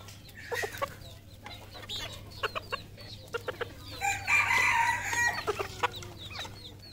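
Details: ['Red junglefowl at a farm in Cambodia: a harsh, harmonic crow bursts out around the middle, amid scattered clucks, sharp chirps from many small birds and a steady low hum.']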